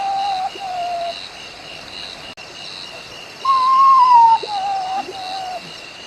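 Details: A potoo's nighttime forest call, likened to a human moaning in deep grief or calling for help: two short low whistles, a louder longer note sliding downward, then a fainter one, over a steady insect drone.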